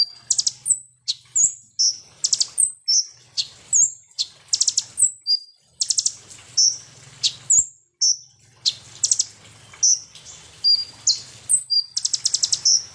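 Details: {'text': 'Sunbird lure song, locally konin or kolibri ninja, for provoking birds: rapid high chirps, thin descending whistles and dense buzzy trills run on almost continuously, with a low hum in the background throughout.'}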